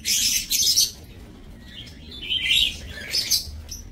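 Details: Lovebirds kept in an aviary breeding cage, recorded 30 May 2024. Harsh, shrill, high chattering bursts crowd the first second. After a quieter stretch, more grating squawks return around two and a half and three and a quarter seconds.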